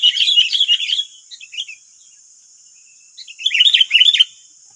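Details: Wild sooty-headed bulbuls in West Lampung, Indonesia, nine wild birds answering one decoy bird: dense bursts of bubbly, chirping notes for over a second, a pause with a few soft notes, then another busy chattering burst, over a constant high hiss.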